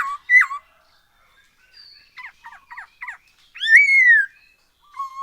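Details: Black-throated laughingthrush singing every day, used as a lure to make other birds sing: clear whistled notes swooping up and down, a short run of quick buzzy notes, then a long bright falling whistle, with pauses between phrases.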